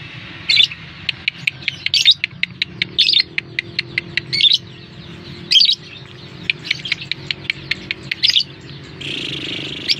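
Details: Lovebird lure call to draw a response from other lovebirds; shrill harsh squeals every second or so between runs of quick sharp ticks, ending in a longer buzzy squeak.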